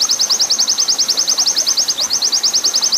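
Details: A captive oriental white-eye, used as a long-singing tutor recording mixed with water sounds, sings a long, fast run of high, thin chirps, about nine notes a second, evenly paced over faint background hiss.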